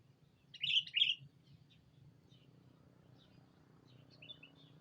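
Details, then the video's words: Sooty-headed bulbul lure call, used to call a rival: two quick bright chirped notes close together early on, then faint scattered chirps, over a low steady hum. "Suara burung Pikat kutilang memanggil lawan"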